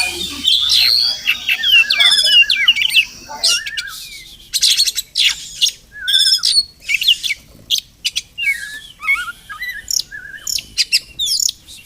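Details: Oriental magpie-robin (Murai Kampung), a wild bird at a village home in the morning; a dense opening flurry of whistles and rasps gives way to separate short notes, harsh buzzes and wavy trilled whistles spaced by brief silences.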